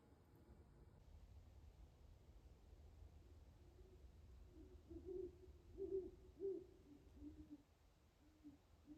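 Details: Series of soft, low owl hoots at first light over an ice-covered pond in Carver, Massachusetts, as the owl ends its night of hunting; a few louder hoots cluster near the middle, quieter ones trail off, over a faint low rumble.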